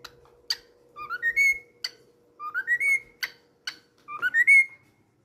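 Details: A tame cockatiel (Nymphicus hollandicus) whistles clear rising phrases, each stepping upward in pitch, repeated three times with sharp clicks between.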